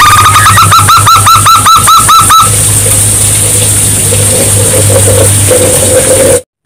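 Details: Local zebra dove, used as a lure recording to prompt silent doves to start calling: a quick run of about a dozen evenly spaced, ringing coo notes over roughly two seconds, then steady low hum and hiss with a faint high whine.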